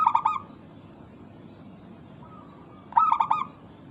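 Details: Zebra dove of local stock in full song meant to make other doves reply, giving two quick bursts of bubbling, stuttered coos several seconds apart over a low background hum.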